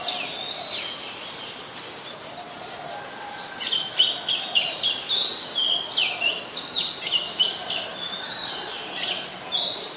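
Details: Singing Oriental magpie-robin recorded in Ubon Ratchathani, Thailand, 27 December 2020, where it is a very common resident: after a quiet start, a lively run of varied whistles, chirps and slurred notes, several per second, continues to the end.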